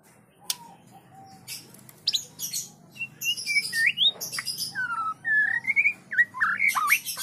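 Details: White-rumped shama singing a trotol-style song in a training setting: rapid, varied run of clear whistled notes, slurred up and down, mixed with sharp clicks and harsh bursts, growing denser and louder toward the end.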